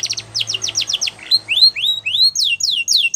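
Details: Belgian canary song for training young canaries, opening with a fast series of sharp downslurred notes, then shifting into evenly spaced rising whistled slurs, about four per second, over a faint low hum.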